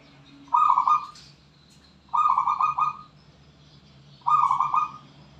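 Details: Wild local zebra dove from Borneo singing three staccato, rolling cooing phrases, each under a second long and spaced about two seconds apart, with a soft low hum in the background.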